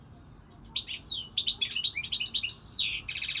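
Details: European goldfinch singing: a fast, tumbling run of high twittering notes and liquid slurs, ending in a quick buzzy trill.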